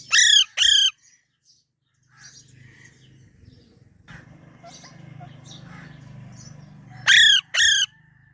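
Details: A baby parrot utters two loud, harsh, ringing squawks, falls to faint chirps over a low hum, then repeats a pair of loud squawks.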